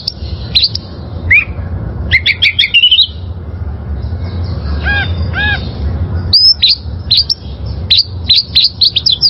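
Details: Wild oriental magpie-robin singing as training material for caged birds: sharp upslurred notes and squeaky chirps in clusters, a pause with a lower nasal double note, then a rapid series of bright rising whistles, over steady low hum.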